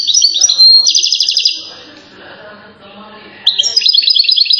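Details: Singing European goldfinch recorded in Settat, Morocco, praised as king of songsters: a rapid buzzy trill and chattering notes, then a quiet gap with low background noise before the bright twittering resumes.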